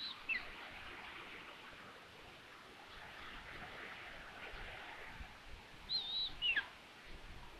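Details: Common Buzzard at a nest in Tiszalök, Hungary, June 21, 2022, as the adult arrives with food to find the nest empty; a brief high, thin whistled call sliding downward at the end, over wind-rustled leaves.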